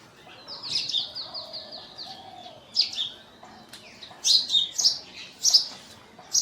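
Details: Scale-breasted munia recorded in Assam, NE India, in March 2025, giving a rapid run of high buzzy chirps, then louder, sharper separate chirps in short bursts against a quiet background.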